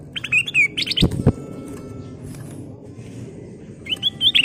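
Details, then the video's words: Ruby-throated bulbul singing its full song with fills as a lure: a burst of bubbly whistled notes, a quiet gap with a couple of knocks, then another bright warble. "Kicau Burung Kutilang Emas full isian"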